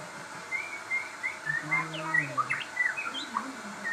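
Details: Crossbred shama singing energetically: a run of short whistled notes, some long and level, others quick upward flicks, over a low steady hum.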